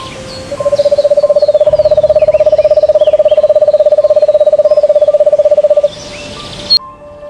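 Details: An owl at night in a dark forest gives a long, even, mid-pitched trill of rapid pulses lasting about five seconds. Faint high chirps sound in the background.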